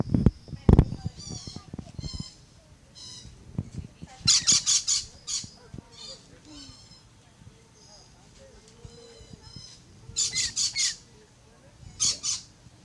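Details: Rainbow lorikeets climbing a fence give harsh, screechy bursts and shrill rapid chattering in repeated clusters, with some low thumps and handling noise early on.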